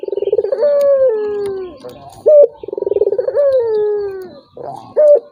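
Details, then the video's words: Provoking call of a turtle dove for a reluctant rival: two rounds of rapid throbbing coos flowing into long sliding, falling notes, each followed by a short high accent. "PANCINGAN BURUNG PUTER || COCOK UNTUK LAWAN YANG MALAS BUNYI"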